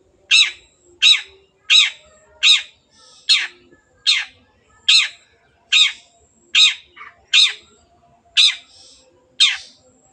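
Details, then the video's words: Energetic long-tailed shrike, recorded as a lure to make birds sing: a long run of thirteen rasping, downward-sweeping notes spaced under a second apart, with a brief softer double note partway through. "CENDET GACOR PANCINGAN MENGATASI BURUNG MACET ATAU BAHAN AGAR RAJIN BUNYI"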